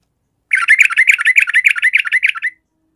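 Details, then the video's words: A yellow-vented bulbul gives a two-second burst of rapid, bubbly, slightly harsh chattering notes, about seven a second, with nothing else audible. "Trucukan malas, macet, sekali dengar Pasti langsung Emosi Tarung"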